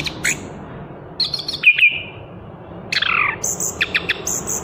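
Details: Chestnut-capped thrush (Anis Kembang) singing bright, varied phrases of high whistles, slurred notes and quick chattering bursts, a new phrase roughly every second.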